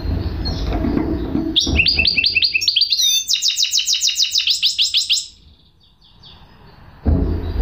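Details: Goldfinch hybrid (mule) singing: a run of quick upward-sweeping notes, then a fast rattling trill of repeated bright chirps lasting about two seconds, followed by near silence and some low background rumble.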